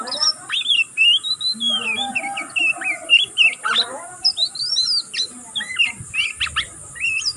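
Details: Juvenile oriental magpie-robin still learning, twittering nonstop: varied high whistled slurs, squeaks and short scratchy notes strung together, with softer lower warbling mixed in near the middle.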